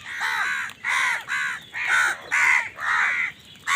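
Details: Loud, steady series of harsh caws from a crow in a food fight, about seven drawn-out rasping calls in quick, even succession.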